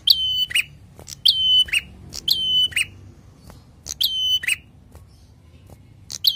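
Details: Prinia giving bursts of sharp, bright chirps, each a quick stuttering cluster of high notes with a ringing upper edge, repeated roughly once a second with short silent gaps between phrases.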